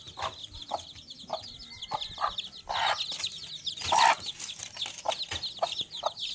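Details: Hen with her chicks: low clucks repeated about every half second under a steady stream of thin, high chick peeps, with one louder burst of calls near the middle.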